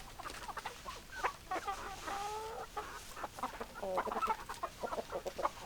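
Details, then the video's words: Hens clucking in a dense, overlapping chorus of short, choppy notes, with a few drawn-out nasal calls holding steady near the middle and a steady background murmur throughout. "Chicken Sounds Noises Hens Clucking Roosters Crowing"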